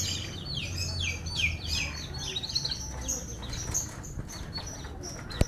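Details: F1 canary singing a run of descending slurred notes and trills that grows softer toward the end, finishing with a sharp click; a low hum continues throughout.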